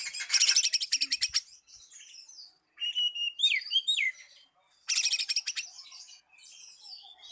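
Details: Oriental magpie-robin singing a lure song that calls a rival: loud bursts of rapid buzzy, rattling notes alternate with sweet slurred whistles, with short pauses between phrases.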